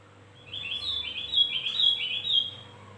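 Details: High, rapid warbling phrase of a Javan grey-throated white-eye, played as a lure to draw in birds; tumbling chirpy notes rise and fall for about two seconds over a faint constant hum.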